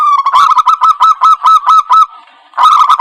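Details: Zebra dove lure call for trapping, from Indonesia: a loud series of short, slightly harsh cooing notes at a steady pitch, repeated about every quarter second. A brief pause follows, then the notes resume.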